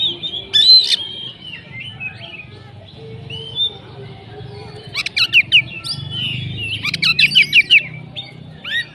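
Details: Oriental magpie-robin giving scattered whistled notes, then clusters of sharp rapid chips and a short buzzy trill near the end, over a steady low hum.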